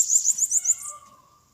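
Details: Brave Bananaquit fighting in Maceió: a rapid series of five very high chipping notes in under a second, fading into faint lower tones.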